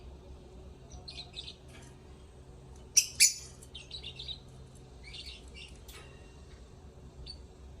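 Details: Lovebirds sing with chattering high chirps, broken by two loud piercing squeaks close together, then more twittering phrases; a faint low hum runs underneath.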